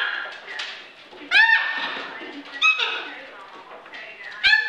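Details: Captive hyacinth macaw playing with other parrots on a kitchen play area indoors: three loud, harsh, rasping squawks about every one and a half seconds, with softer chatter and murmuring between them.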